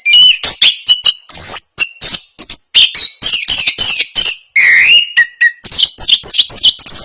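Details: National champion Orange-headed thrush singing 'ngerol' style, quick strings of whistled and squeaky notes with a short pause midway, then a low slurred whistle and renewed fast high twittering.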